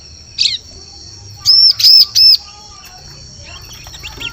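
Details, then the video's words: Bar-winged prinia lure call for forest bird trapping: one brief sharp chirp, a pause, then three loud high arched notes in fast succession, followed by soft scattered ticks. "Suara Pikat Burung Ciblek Cocok Untuk Memikat Di Hutan"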